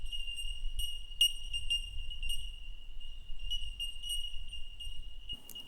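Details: Several Bell Miners, bell birds living in the eucalypt canopy on the Great Dividing Range, giving clear tinkling bell-like notes, steady high pings overlapping, with a low rumble of wind and a brief knock near the end.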